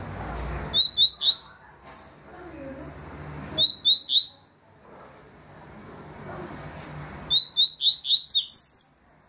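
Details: Papa-capim (yellow-bellied seedeater) singing its 'tui' style song in 2020: three bright phrases of quick, rising, slurred whistles around a high pitch, each phrase a short run of four to six notes, spaced about three seconds apart over low background hum.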